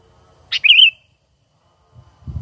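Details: Sooty-headed bulbul giving a natural lure call used for trapping: a single short, bright phrase, a sharp note then a quick wavering whistle, followed by silence and faint low thumps.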